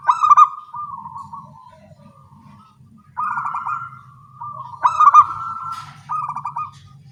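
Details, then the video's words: Zebra doves of a local type singing back and forth in the morning. Four cooing phrases made of quick, pulsed notes, some loud and some softer, overlap or follow one another, with a soft low rumble underneath. "Perkutut lokal suara kecil gacor pagi hari bersahutan"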